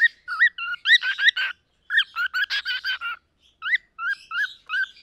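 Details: Two young cockatiels, a Lutino and a Pearl (the Pearl a female), offspring of a white-faced male, chatter in quick runs of short, bright chirps and rising-falling whistled notes.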